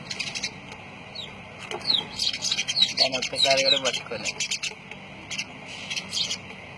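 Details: Lovebirds giving a dense burst of high, squeaky chirps and short rasping squawks, rapid and irregular, swelling in the middle and thinning toward the end, over a steady electrical hum.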